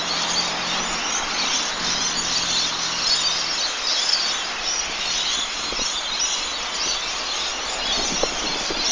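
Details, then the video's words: Evening chorus of lorikeets, countless shrill chirps and screeches blending into an unbroken, hissing roar of high calls, with a faint low hum and a few scattered lower clicks near the end. "Lorikeets chirping in evening"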